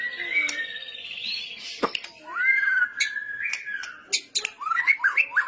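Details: White-rumped shama delivering a kretetan-style song, with long, clear, sliding whistles that hold steady then break into fast, rising, looping phrases and sharp notes toward the end.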